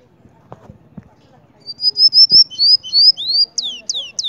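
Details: Cinnamon-rumped seedeater singing in Mérida, Yucatán: after faint background clicks, a loud series of high whistled notes speeds into rising slurs and then sharp descending notes, repeated rapidly.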